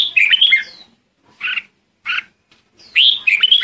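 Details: Lure song of a red-whiskered bulbul calling the flock: a quick tumbling warble, two short separate chirps, then another bright rising warbled phrase.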